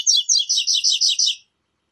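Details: A double-collared seedeater sings its "tui tui zel zel" song type, six quick, bright, high-pitched slurred notes in a fast run. There is no other sound.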